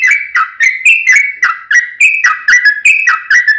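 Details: Sooty-headed bulbul giving a long rolling song to draw a response from a kept bird. Punchy whistled notes pour out quickly in a steady, bubbly sequence without breaks.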